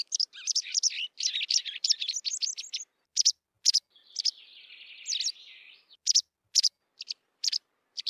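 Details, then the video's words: Song of a white wagtail: a rapid run of high twittering chirps, then a buzzy drawn-out trill with slurred notes, followed by sharp separate chips spaced roughly half a second apart. "صوت الذعرة البيضاء white wagtail song"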